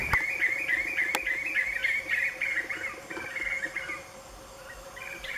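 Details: At dusk, several Black-fronted Nunbirds perch side by side and sing together in a dense, rolling chorus of overlapping gurgling whistles that fades toward the end, with a steady low insect hum and a couple of sharp clicks.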